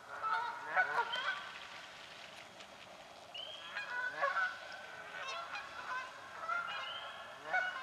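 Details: Canada geese in a swamp quarrel over nesting spots with scattered nasal honks, a quieter stretch in the middle, and a rising whistled note from another bird.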